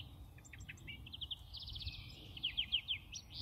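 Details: Juvenile European goldfinch being fed by a parent on a washing line in a UK garden; thin high chirps and trills, then rapid twittering series of bright notes, over low background rumble.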